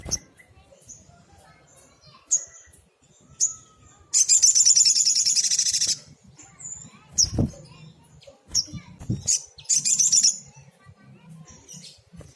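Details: Sunbird (sogok ontong) singing vigorously in tembakan style, used as a tutor recording for small birds: sharp high chips, then a dense, buzzy, high rattling trill lasting about two seconds, more chips and a shorter trill, with low thumps between.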